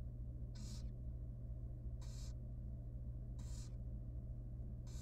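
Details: Very young wild barn owl chick in a monitored nest box at feeding time: four rasping, breathy hisses, each about a third of a second, coming every second and a half over a steady low electrical hum.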